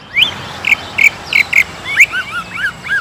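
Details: Lure song of a greater green leafbird to stir other leafbirds to sing hard: short, rich whistled notes spaced evenly, then softer, looping, rising-and-falling whistles.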